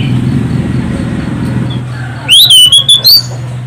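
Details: Orange-headed thrush song used to stimulate other birds to sing; after a stretch of low rumbling background noise comes one loud burst of rising, shrill whistles and quick looping notes.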